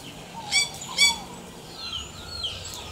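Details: Yellow-rumped cacique (xexéu) singing in the wild: two short, bright, harmonic-rich notes about half a second apart, then softer thin whistles, over steady background hiss and low rumble.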